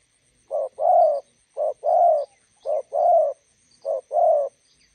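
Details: Beside a road in Gia Lai, Vietnam, a spotted dove decoy facing a wild bird gives four even pairs of coos, a clipped note then a longer rounded one, evenly spaced, over a faint thin whine.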